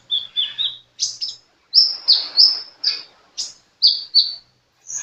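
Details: Sunbird singing hard, delivering a varied series of piercing high whistles and short chips, some notes drawn out and others clipped, spaced irregularly with clean silences between.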